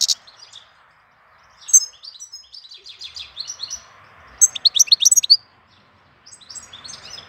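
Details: Goldfinch in April giving a chattering, tinkling song, with a loud burst of rapid high notes near the middle over steady background rustle.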